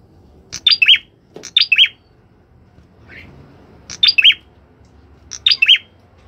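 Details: Orange-headed thrush in lively song, giving tight bursts of three or four sharp, slurred, high notes that fall in pitch, repeated roughly every one to one and a half seconds, with a faint soft sound between bursts.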